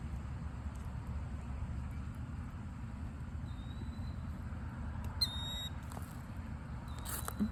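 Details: A Killdeer calls to and answers its partner nearby on February 2, 2025: a faint thin note, then a quick burst of shrill, high squeaking calls near the end, over a steady low rumble of wind or traffic.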